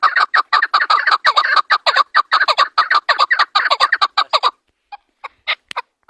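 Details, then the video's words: Chukar partridge, national bird of Pakistan, calling: a fast, rhythmic run of harsh, clucking chuk notes repeated for about four and a half seconds, then a brief pause followed by a few scattered, isolated notes. "Chokor (Partridge) Voice | Chukar calling chakor ki Awaz"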